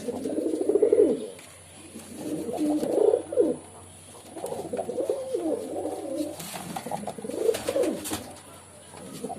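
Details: Pigeon cooing in four or five rolling, throaty phrases, each about a second long and separated by short quiet gaps.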